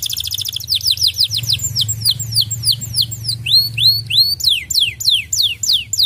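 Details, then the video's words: Canary lure song intended to make pet birds sing eagerly: opening buzzy trill, then steady rapid falling whistles turning to rising swept notes, roughly three per second, with low humming noise behind. "Pancingan kenari AMPUH!"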